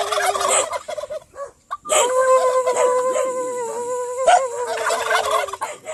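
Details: Owner-prompted calls from domestic turkeys in Aratoca, Colombia: after rough noisy bursts comes a sustained, rich nasal tone of over two seconds that steps slightly upward, trailing into ragged calls.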